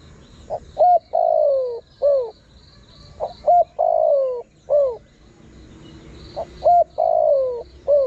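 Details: Spotted dove calling to lure wild birds: phrases of two short soft notes, then a long drawn coo sliding downward and a shorter curved coo, repeated three times about every three seconds over a faint high insect-like hiss.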